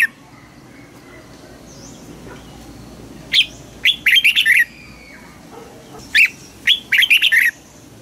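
A red-whiskered bulbul sings two bright, chattering phrases of quick, sharp, high notes about three seconds apart, against a quiet, faintly hissing background.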